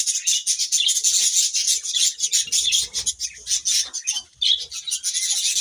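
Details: Budgerigars chirping in the morning, loud dense high-pitched scratchy chatter with rapid pulsing notes, almost without pause.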